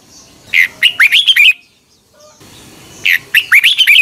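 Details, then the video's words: Morning training song of a red-whiskered bulbul, 2021: two loud, rapid runs of rising whistled notes, each lasting roughly a second, with a quiet pause between them. "Luyện chào mào hót sáng 2021"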